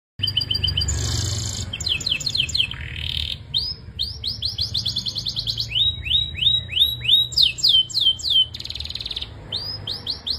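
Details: Belgian canary singing at length: fast runs of bright rising-and-falling whistled notes, shifting between rapid trills, rolling phrases and sweeping upslurred notes repeated about three per second, with a low steady hum underneath.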